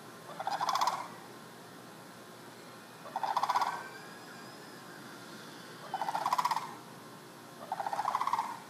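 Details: Free-roaming sandhill cranes in a neighborhood, captured from a window: four rolling, rattling calls, each about a second long, separated by gaps of one to two seconds.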